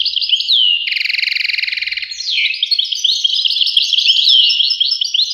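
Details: European goldfinch song with twittering notes, then a harsh buzzy rattle near one second, a sweeping downslurred call, and more bright rapid twitters to the end.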